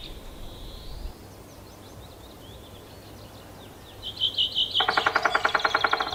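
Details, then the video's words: In a Yekaterinburg forest park on 25 May 2018, a male three-toed woodpecker, idle after carving its nest hole, hammers a tree: after a stretch of distant bird song, a sudden quick, regular burst of loud knocks ends the recording. "Когда дятлу делать нечего он по дереву стучит"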